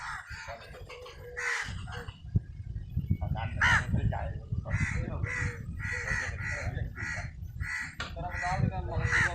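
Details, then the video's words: Crow calling as it feeds, a squirrel close by: after a quieter start, rough cawing notes repeat about every half second in a steady series, with constant low rumbling noise underneath. "crow bird sound ll crow eating"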